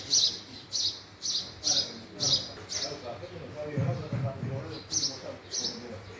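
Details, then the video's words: Short, bright chirps from a house sparrow, repeated unevenly at first and then more sparsely. Low murmuring sounds run underneath. "female Sparrow sound vs. male Sparrow Sound, house sparrow call"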